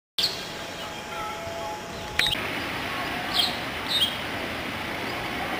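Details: A White-browed wagtail (Motacilla maderaspatensis) calls with brief, sharp, high chirps spaced a second or more apart, over a steady hiss and a faint low hum.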